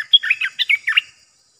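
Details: A short, lively phrase from a caged Olive-winged Bulbul used as a trapping decoy, made of about six bright, gurgling, slurred notes in quick succession before falling silent.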